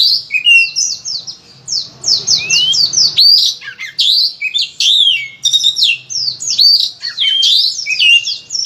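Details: Oriental magpie-robin giving a loud, phrase-filled master song used to lure other magpie-robins into singing: rapid descending chirps and whistled notes in tight bursts, with a short quieter patch early on.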